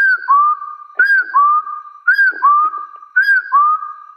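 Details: Clear paired whistles of a hill partridge challenging rivals: a curved higher note dropping to a lower, gently rising whistle, repeated about once a second, with faint knocks underneath.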